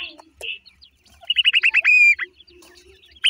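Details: Black francolin chicks giving rapid series of high, thin peeping notes around two to three kilohertz, ending in a longer drawn whistle and a downslurred note, with faint clicks and rustling between calls.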